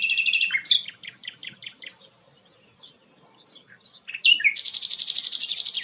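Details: Sikatan londo, described as a rare bird, singing a varied run of high sharp chirps and slurred notes, ending in a fast buzzy trill repeated several times per second.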